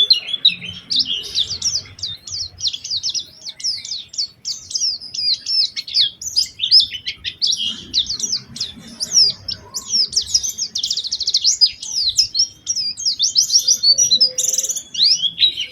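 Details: Vigorous Oriental white-eye song used as a lure to set other white-eyes singing: a dense, unbroken stream of thin, high chirps and twitters over about sixteen seconds, with a faint low rumble beneath.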